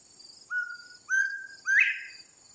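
A Northern bobwhite whistles two level clear notes, then a loud upslurred 'white' in its classic bob-white phrase, over a steady high insect buzz.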